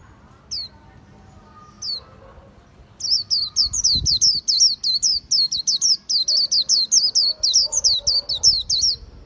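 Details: Khuyen bird giving two isolated high slurred notes, then breaking into a long, continuous stream of rapid, piercing down-slurred whistles that runs to the end.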